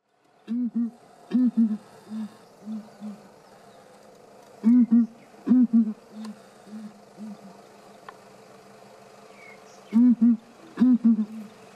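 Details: Southern ground hornbills calling and answering each other in Kruger National Park: deep, low booming hoots, often in quick doubled pairs, alternating with softer single hoots. Loud bursts come in clusters a few seconds apart against a quiet background hum.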